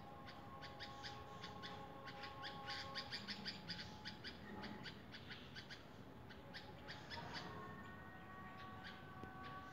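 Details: Red-vented bulbul uttering bursts of rapid chipping notes, about three per second, while low sustained tones hum in the background along with steady hiss.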